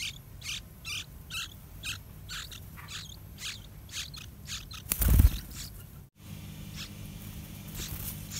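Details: Two full-grown yellow-vented bulbul nestlings waiting for parents bringing fruit and dragonflies; a regular series of harsh, high chirps about twice a second, then a loud thump and a pause, followed by fainter chirps over low rumble.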